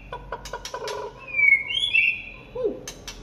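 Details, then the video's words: White-rumped shama singing in the late afternoon: a few short clicking notes, then a long clear whistle sliding upward and a quick high flourish, with a brief low dropping note near the end. "Chòe lửa hót chiều muộn"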